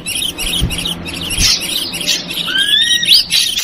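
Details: Ashy drongo lure call: scratchy high chatter followed by two long, clear whistled notes, one sliding upward and one nearly level, over faint low thumps.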